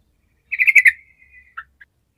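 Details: Sooty-headed bulbul in lively 'gacor' song, played to stir quiet bulbuls into singing: a quick run of bright chattering notes, then a thin trailing whistle and two soft single notes, with no other sound.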